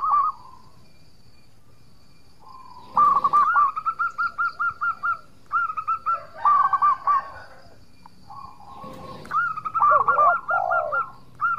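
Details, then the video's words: Local zebra dove in full voice, with a song suited to luring rivals into answering: bursts of quick, stuttering coo notes separated by pauses, with a lower, swooping coo near the end. "Perkutut Lokal Gacor Suara Merduk Cocok Buat Pancingan - Bikin lawan langsung Nyaut!!!"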